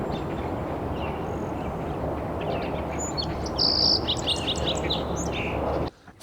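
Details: Song Sparrow on Global Big Day sings high, bright notes, a short buzzy trill and a quick run of chips, over steady low rumbling like wind or distant traffic.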